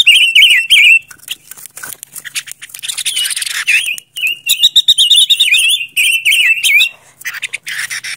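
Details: Silver-eared mesia (Leiothrix argentauris) song used as a lure: bright, fast warbled whistling phrases with twittery runs and short buzzy notes in quick succession.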